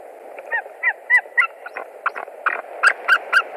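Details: White-tailed eagle at a nest in Latvia, 20 March 2021, calling as a stranger, probably a young eagle, lands on a branch: a dense, uneven run of yelping notes, some overlapping, growing louder toward the end, over a steady hiss.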